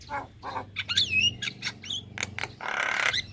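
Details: Javan myna, a very chatty bird that sings nonstop, giving a varied mix of harsh broadband notes, squawks and a rising whistled slur, with a low hum underneath.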